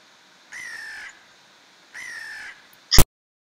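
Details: American crow from a trio that regularly visits a wooded forest area, calling two drawn-out, hoarse, level caws about a second and a half apart, followed by a sharp click or knock.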